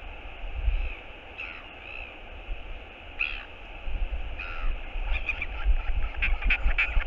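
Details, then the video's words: Northern royal albatross at the nest, its partner returning, giving the skycall of courtship: drawn-out, wavering nasal moans, then a rapid burst of harsh repeated notes toward the end, over constant low wind rumble. "OGK is back ~ Skycall Of Love"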